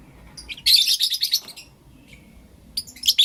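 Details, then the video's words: Blue opaline and lutino opaline lovebirds, pet birds, chirping in the morning: a dense burst of shrill, harsh high chirps lasting about a second, a pause, then another sharp burst at the end. "Lovebird Chirping Sounds and Call Sounds From Blue Opaline & Lutino Opaline"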